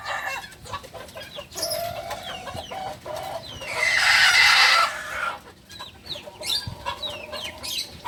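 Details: Native Solok, West Sumatra Balenggek rooster, still a beginner, delivers a loud harsh crow lasting over a second, surrounded by busy chirps and whistles of small birds and a softer call earlier.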